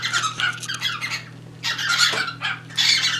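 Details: Caged pet cockatiels calling during mating, with a third bird nearby wanting to join; rough, raspy squawks in quick bursts, a brief quieter pause mid-clip, then louder screeches, steady low hum beneath.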